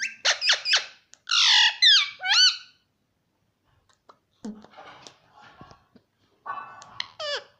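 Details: Pet parrot indoors, said to be saying "papa": bursts of squeaky, harmonic, speech-like syllables, some sweeping up and down, in two loud clusters separated by quieter scratchy sounds and short pauses.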